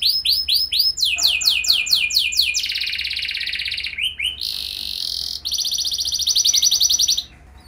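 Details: Canary singing as a lure to set other canaries singing: fast rolling trills of high swept notes shift into dense buzzy rattles and sustained high churring passages, varied phrases following one another without pause.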